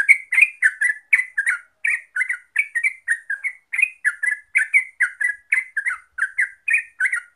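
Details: Yellow-vented bulbul song, known in Java as trucuk, played to spur birds into song: dense bubbling chatter of short fluty, gurgling notes in quick succession, nearly continuous, bright and metallic.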